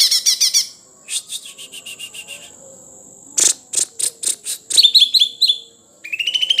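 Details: Sumatran leafbird song made of varied chirps and sharp clicks: quick bursts of high notes, a run of short ticking notes, then bright, slurred, repeated whistles at the end.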